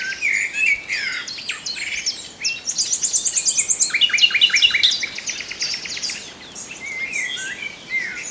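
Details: Common nightingale singing a varied song of rapid repeated notes and trills, a fast burst of high clicking pulses near the middle followed by a string of loud, evenly spaced chirps, with fainter birdsong behind.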